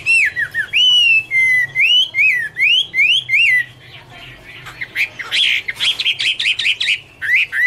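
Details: Chinese hwamei singing, an autumn song: strong looping whistles rising and dipping in fast series, a short quieter gap, then a burst of varied sharp notes and a final curling whistle.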